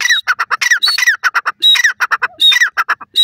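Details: Dakhni teetar (grey francolin) voice: a shrill, rasping call phrase followed by quick staccato notes, repeated several times in close succession and loud throughout.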